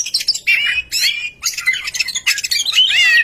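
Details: Oriental magpie-robin lure song to encourage other birds to sing: rough, harsh chattering phrases mixed with warbled slurred whistles, delivered in short bursts separated by brief gaps.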